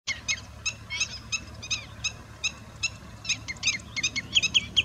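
Common redshank giving sharp, high piping notes, several a second in irregular bursts that crowd together toward the end, over a low steady rumble.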